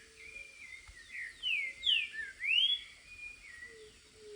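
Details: A green-winged saltator (trinca-ferro) in the wild gives a short burst of rich whistled notes, each sweeping up then down, in the middle of the recording. Softer trailing whistles and faint ambient noise surround it.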